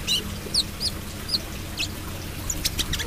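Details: Brown-throated sunbird singing in the trotol style: a run of sharp, high, down-slurred chirps, loosely spaced in the first half-second, then quicker, fainter clicking notes toward the end over a low steady hum.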